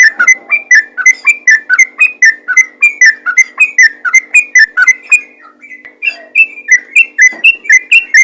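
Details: Ropel-style song from a yellow-vented bulbul, aimed at getting other trucukan to sing. A rhythmic series of clear, whistled chirps follows one after another, with a slight slowing near the middle.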